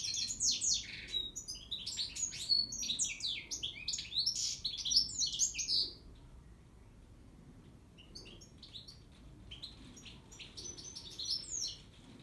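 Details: A singing goldfinch pours out about six seconds of rapid, liquid twittering and jangling high trills, then drops to sparse, softer scattered chirps and short tinkling phrases for the rest of the recording, with quiet low rumble beneath.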